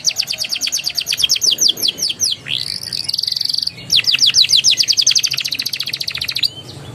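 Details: Warbling, rolling canary song meant to coax young birds into song: fast down-sweeping notes, a long rising-then-falling whistle, then more sweeps and a high thin trill.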